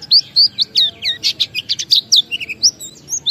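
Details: Pleci, the Oriental white-eye, singing in the ngalas style as a lure recording to get other white-eyes singing: quick, high, piercing chirps tumbling one after another, some slurred downward, without a break.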